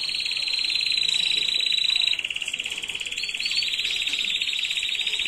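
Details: Canary tutor song from 2022 for teaching chicks to sing correctly: a loud, high, rapid trill for two seconds, then an abrupt change to a lower, slightly slower rolling tour that continues steadily.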